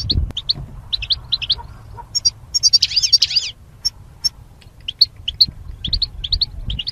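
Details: Caged goldfinches paired for mating, for song training: sharp high chirps repeated rapidly, a buzzy rattling trill near the middle, then more spaced twitters over a quiet low hum.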